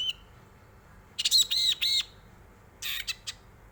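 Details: Long-tailed shrike singing, used to prompt other birds to sing: after a short pause comes a cluster of three harsh, ringing notes, then silence and a brief scratchy burst with two quick clicks.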